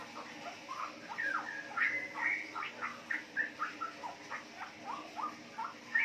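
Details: Four-month-old female Straw-headed Bulbul, captive-bred from wild-type parents in Yogyakarta, Indonesia, giving riwik twitter: rapid short warbled notes, some bending up and down, in an unbroken chattering run of six seconds.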